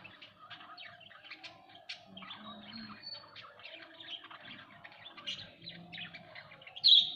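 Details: Budgerigars kept at home chattering indoors: dense warbled chirps and squeaky twitters, with one loud sharp squeak near the end.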